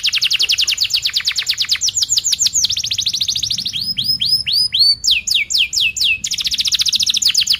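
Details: Canary singing long rapid rolls for young canaries to learn from: dense trills of fast sweeping notes repeated many times a second, shifting speed and pitch between sections, loud and continuous.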